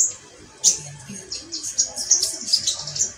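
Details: Brief burst of metallic pygmy sunbird song: sharp high chirps following a short quiet start, then a fast run of thin tinkling notes.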